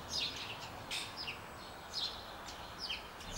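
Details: Common starling (Sturnus vulgaris) singing: a quick run of high, scratchy whistles, many slurring downward, mixed with short broadband clicks. The phrases come in bursts about once a second over a steady hiss.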